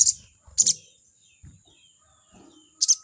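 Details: Crested jay giving its 'crecet' chatter to call out a rival: three short, harsh, high rasping bursts, the middle one doubled, separated by pauses, with soft low thumps and faint voices between.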